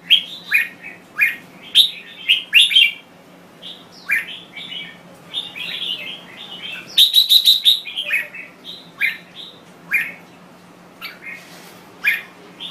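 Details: Thai red-whiskered bulbul singing at length: energetic runs of chirpy, warbling notes, a dense rapid trill near the middle, then evenly paced bright phrases, a low hum in the background.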